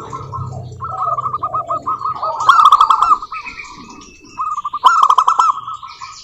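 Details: Local zebra dove song meant to spur other doves to sing: strings of rapid staccato coos swell into loud trilled bursts twice, with quieter cooing and faint higher chirps in between.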